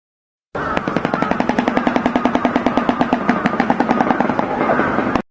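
A Shoebill clatters its bill in a rapid, hollow, machine-gun rattle of about six knocks a second, held steady for nearly five seconds, with no other sounds.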